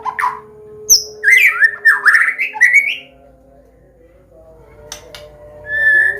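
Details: White-rumped shama of the Medan type singing a combination song used to teach young birds and prompt them to sing: varied slurred whistled phrases around mid pitch, a burst of notes, a pause, then a single higher note.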